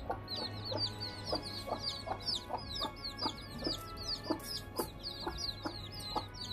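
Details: Chicks just hatched and eating rice beside their hen, peeping rapidly in high, sharp, falling notes while the hen gives short, low clucks roughly twice a second; a constant low hum runs throughout.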